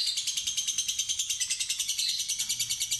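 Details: Fighter lovebird ngekek trill: a steady, rapid, raspy pulse train lasting about three seconds, with a low hum faintly audible in the background.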